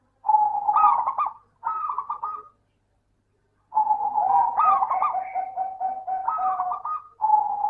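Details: Lure song of a local zebra dove for doves that will not sing: two bubbly trilled phrases, a silent pause, then a longer run of rolling, stuttering coos and trills.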